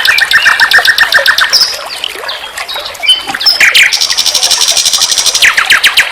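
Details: Common nightingale singing as a vocal tutor for songbirds. A quick, evenly spaced trill opens, followed by scattered whistles, then a long, high, rapid rattle and a final descending stutter.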